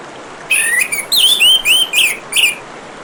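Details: Orange-headed thrush phrase of varied slurred whistles, some sweeping down, others rising, run together in a rich sequence over the steady hiss of flowing water.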